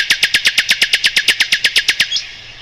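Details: Song of the Mugimaki flycatcher used to tutor white-rumped shamas and similar songbirds: a rapid even rattle of about fifteen crisp, high ticking notes in two seconds, then stopping, leaving a faint whistle.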